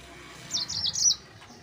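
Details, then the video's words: Yellow-fronted canary singing to provoke rivals: a single short run of slurred high warbling notes lasting about half a second. "Mozambik Gacor NGEROL Terbaik untuk Pancingan bikin Lawan Naik Emosi"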